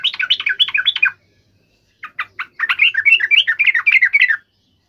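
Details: A provoked yellow-vented bulbul gives a short chattering burst, pauses, then a few separate chirps that build into a long, rapid run of excited notes.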